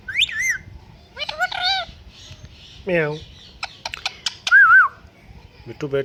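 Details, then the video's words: Pet talking parrot mixing speech-like harmonic utterances with sharp rising whistles, squawks and a wavering pure whistle, delivered in quick bursts with short pauses between them. "World Best Talking Parrot"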